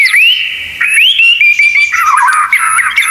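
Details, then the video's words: Short passage of white-rumped shama (murai batu) 'isian tembakan' song: smooth rising and falling whistles, a lower warbled stretch with quick wavering notes near the end, loud and continuous. "Masteran Murai Batu Full Isian Tembakan"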